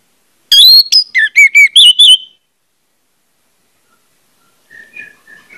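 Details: ['Orange-headed thrush song used to encourage other orange-headed thrushes to sing: a quick two-second run of varied whistled notes, some sliding downward, followed by near silence with faint distant whistles.']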